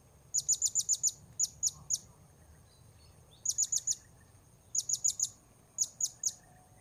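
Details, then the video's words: Blue-crowned hanging parrot recorded during luring of wild birds at Port Baru, giving bursts of thin, piercing high chirps, mostly five or six rapid notes per burst, separated by short pauses, with a steady faint high hum behind. "Memikat Serindit Di Port Baru"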